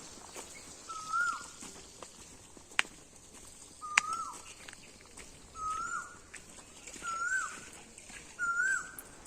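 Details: An Asian koel calls in a village near an uncle's house, giving five clear, fluty, rising notes spaced about one to two seconds apart, with footsteps and faint rural background sounds.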